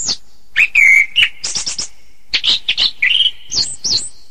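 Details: Song of an orange-headed thrush: a sustained clear whistled note, then quick high chirps, a buzzy trill and a final pair of sweet rising-falling whistles.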